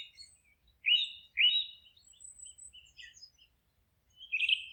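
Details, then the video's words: Forest birds singing: two loud, clear upslurred whistled phrases close together, scattered soft chirps and thin high notes, then a final buzzy trill. "Forest relaxing sounds of singing birds"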